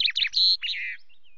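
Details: Chaffinch on a camera perch at Loch Garten, 24 May in late afternoon, during a spell of preening and singing. A dense, jumbled burst of bright twittering notes ends in a brief thin whistle.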